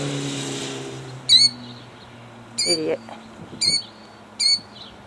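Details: A man's voice briefly, then a female killdeer defending her eggs (Jackson, New Jersey, 2008) gives four loud, high, strident calls spaced just under a second apart, some slightly doubled, over low roadside rumble.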